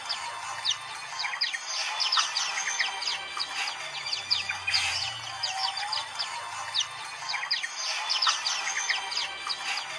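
A chorus of many white-eyes gives high, thin, rapid twittering notes and short trills that overlap continuously, over a faint steady background hiss.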